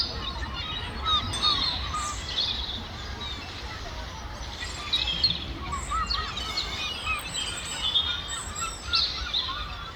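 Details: Gulls fighting over food give bursts of shrill, strained squeals and yelping notes in clusters, over a constant low outdoor rumble.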